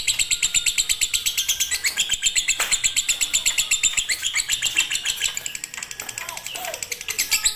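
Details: Fighter lovebird in konslet style, a master recording for birds that will not sing: dense high chatter of quick chirps, near four a second, running unbroken and easing slightly toward the end.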